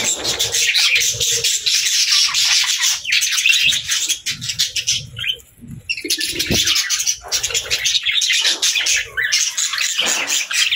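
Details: A group of budgerigars chirps as they play in the evening: loud bursts of rapid, raspy warbling chatter with short sharp squeaks, separated by brief quieter gaps.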